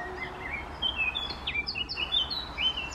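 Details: Eurasian blackcap delivering a short run of clear whistled notes, some sweeping upward, others falling, over steady low background noise.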